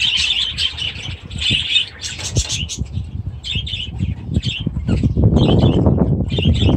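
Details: Budgerigars, adults with new chicks, in outdoor aviaries on 23 July 2017, giving bursts of bright warbling chirps that break off and restart, mixed with low thuds and wing flutters.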